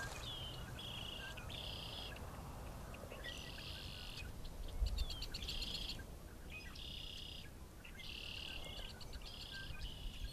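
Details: A mated pair of Sandhill Cranes (Antigone canadensis) on 18 March 2024 in Ingham County, Michigan, during the early-spring breeding season, give rolling, rattling calls in short repeated bursts over a steady background rumble.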